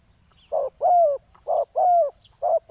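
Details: Spotted dove at a ground-level decoy luring a wild rival. Short blunt hoots alternate with longer, smoothly falling coos, evenly spaced, with brief high bird chirps in the background.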